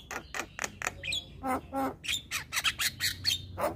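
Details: Male Javan myna, whose song prompts listening mynas to join in, giving a string of harsh, broadband squawking notes with a few brief whistled slurs, several per second.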